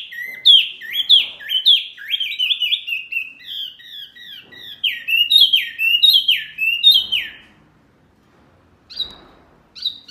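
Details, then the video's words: Noisy mini wambi bird, described as riling up other birds, pours out a busy run of high, dropping chirps for about seven seconds, followed by a pause and a couple of short calls. "SUARA BURUNG WAMBI MINI RIBUT SEKALI,BIKIN EMOSI BURUNG LAIN!"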